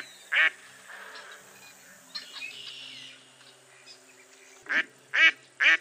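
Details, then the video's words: Mottled duck from eastern North America: one harsh quack, a pause filled with softer mixed bird notes, then three loud rasping quacks close together near the end. "Mottled Duck Call"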